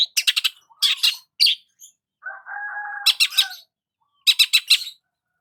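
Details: Long-tailed shrike singing while sunbathing in the morning: bursts of harsh, rapid chattering notes broken by a steady nasal whistle held about a second.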